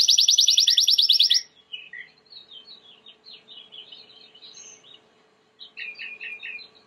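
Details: Timbrado canary song for training: a loud, very fast buzzing trill for over a second, then a softer, scattered warble of chirps and twitters with a short pause before more quick notes.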